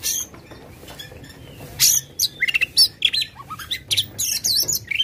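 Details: Aggressive Oriental magpie-robin, tail spread, singing to rouse a reluctant bird: after a quiet start, loud raspy bursts and clear whistles follow in rapid, uneven succession.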